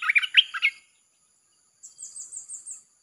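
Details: Red-whiskered bulbul singing in the 'chopping' style for luring wild birds: a quick burst of liquid warbled notes, then after a pause a very high, thin, rhythmic trill.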